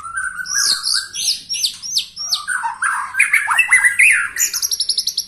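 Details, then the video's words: A 21-year-old white-rumped shama in full song: sweeping downslurred whistles, high chirps and a fast series of sharp repeated notes at the end, over faint low background noise. "Murai batu ini ternyata usianya 21 TAHUN Gaya main masih NGOTOT"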